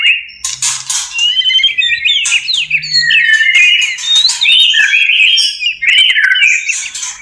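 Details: White-rumped shama in breeding condition, kept in a cage: dense, continuous rich warbling of twisting whistles and rapid trills, broken by sharp high clicks, with a faint low background hum.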